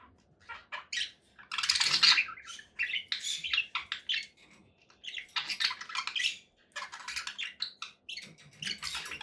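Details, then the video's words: Conure parakeet producing a run of raspy chirps and squawks in clustered bursts separated by short silences. "relaxing conure parakeet sounds"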